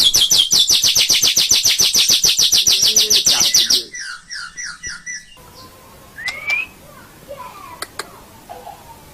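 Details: White-rumped shama master song for training songbirds: a fast, even, high rattling trill of about twenty notes, then softer paired chips and a single rising whistle with faint clicks.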